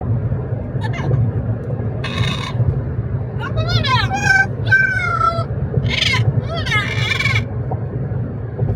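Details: Pet parrot talking during a car ride, giving a few harsh, harmonic squawks and speech-like mimicked phrases with wavering tones, over a steady low rumble of engine and road noise.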